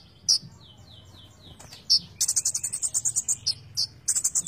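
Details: Van Hasselt's sunbird (konin) in full gacor isian song: high downslurred whistles, sharp chips, then a fast buzzy trill of about a dozen rapid pulses, closing with more thin chips.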